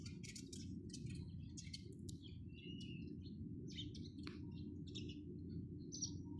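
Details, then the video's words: Several sparrows chirping, sharp short notes and a few thin whistled calls scattered across the clip, low droning hum in the background. "চড়ুই পাখির কিচিরমিচির শব্দ Chirping sound of sparrows"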